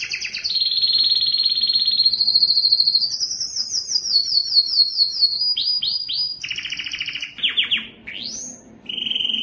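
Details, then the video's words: A yellow canary sings continuously, moving through fast rolling trills that step upward in pitch, then quick downward-swept notes, a rising whistle and a final level buzzy trill. "yellow canary singing"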